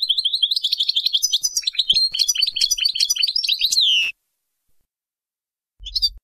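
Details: Baynam Ghazarat goldfinch song intended to teach fledglings; about four seconds of rapid, tinkling twitter and trills ending in a sweeping falling note, then a brief chirp over low hum.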